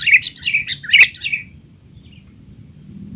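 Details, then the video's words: Excited sooty-headed bulbul, recorded as tutor material for young untrained birds: a quick run of loud, slurred chirps and one sharp, buzzy note in the first second and a half, then quiet with faint background hum. "burung kutilang teler!! suara ribut paling cocok untuk kutilang bahan"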